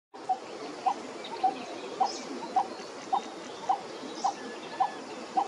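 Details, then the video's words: A coppersmith barbet calls to a female and gets a response, a steady series of hollow, mid-pitched 'tuk' notes, about two per second, over a constant background hiss. "Coppersmith Barbet calling female"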